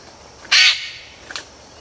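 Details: A jet-black male bird-of-paradise, about 33 cm long with a shiny reflective patch on his forehead, at his cleared display court in the forest. He gives one short, harsh, rasping call, then a faint brief note, over steady forest hiss.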